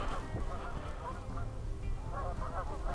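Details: A flock of geese mixed with ducks on Gibbs Lake, Rock County, Wisconsin, gives overlapping nasal honks and squawks in quick irregular bursts, heard from a pier over a steady low wind rumble, late 2020.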